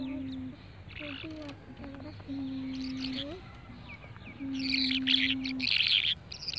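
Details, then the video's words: Mixed birdsong with long, level low hoots, one ending in an upward slide, and bursts of busy high twittering and chirps late on, over a steady background hum. "birds nice sound"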